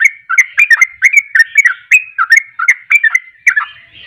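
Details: Rapid, cheerful bulbul phrases from a sooty-headed bulbul lure recording used to coax other birds into song: short liquid whistles bouncing up and down, roughly three notes per second, clean background.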